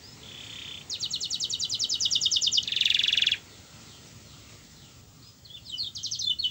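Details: Canary song meant to prompt a lazy canary to sing: a soft buzzy note, then a rapid pulsed trill and a dense buzzing roll, a quieter gap with background hiss, and a final short trill.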